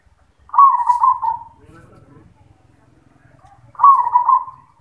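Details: Two burbling, rolled coo phrases from a zebra dove with the 'yoman' song voice, separated by about three seconds of quiet murmuring voices.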